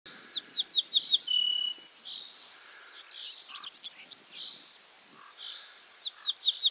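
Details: Ortolan bunting recorded at Julków on 3 June 2017: a short phrase of about five clear, ringing high notes repeated quickly, ending in a longer, lower drawn-out note. Another burst of the same notes comes near the end, with softer bird calls in between.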